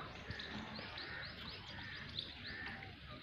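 Grey francolin giving a run of quick, high, ringing notes, several per second, over a steady hiss and low background rumble.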